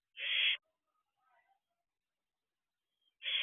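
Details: Barn owl owlet at a nest box around midnight in early summer: two harsh, breathy hissing screeches about three seconds apart, with faint soft scratching between them.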